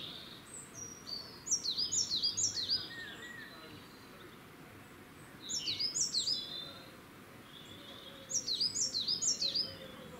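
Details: Singing coal tit in Cambridge, UK, 2 June 2020, delivering three separate bursts of fast, high-pitched repeated double notes, each burst lasting about a second and a half, divided by quiet gaps with low background rumble.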